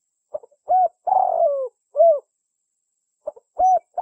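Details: Trapping lure call of a spotted dove: brief soft notes followed by mellow low coos and a longer wavering falling coo, the phrase starting again after a pause, with no other sounds.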